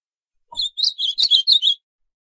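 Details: Ultramarine grosbeak of the northeastern form delivering one brisk phrase of around seven bright, slurred high notes, slightly rising and falling, lasting just over a second.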